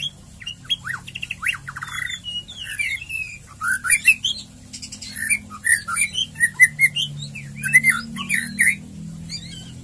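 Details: Varied White-rumped shama song: sharp upward whistles and slurred notes, then denser chattering phrases of twisting whistles, delivered in quick clusters over a low steady hum.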